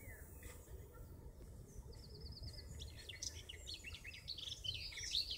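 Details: Garden Warbler in full song by Dukes Head Passage, Bushy Park: a brief fast trill, then a hurried, bubbling warble of high notes running on without pause, over a low rumble of background noise.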